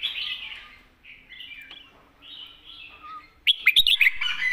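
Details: Loud red-whiskered bulbul song in the southern Thai master-song style: drawn-out warbling whistles at first, then an abrupt rapid flurry of bright, jumping whistled notes at the end.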